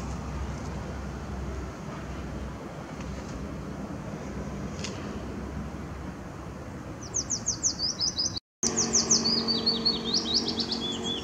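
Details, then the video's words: Along Zeeburgerpad on 2 May 2016 a Willow warbler sings after several seconds of quiet traffic noise, its gentle descending cascade of whistled notes starting late and briefly cut off before continuing. "zingende Fitis"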